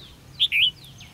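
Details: Red-whiskered bulbul heard at a decoy-fight trap on 13 February 2016, giving a loud clipped note then a rolling, wavering whistle; faint high calls from other birds linger behind.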